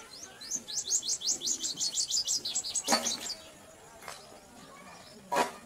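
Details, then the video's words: Purple sunbirds feeding their chicks: a quick series of high, thin chirps repeated about three times a second for two seconds, then a few scattered sharp ticks and a brief rustle against quiet background. "Sun birds feeding their children अपने बच्चों को भोजन खिलाती सूर्य पक्षी"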